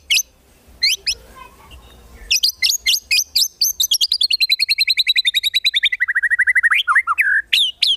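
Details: Contest-style white-rumped shama song with 'isian tembakan' fill: a few scattered high chirps and a pause, then a fast burst of repeated sharp notes that gradually slides lower before ending in looping whistled notes.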